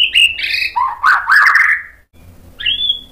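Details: White-rumped shama singing a lure song meant to provoke other shamas into replying: loud, varied whistled and slurred phrases that swoop down and then rise again, with a short pause before a final high, clear whistled note.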